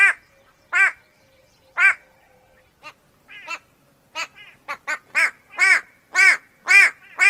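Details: White-bellied go-away-bird calling: harsh nasal 'go-away' notes, a few spaced calls then a quickening burst of shorter clipped notes and loud bleats, roughly two per second.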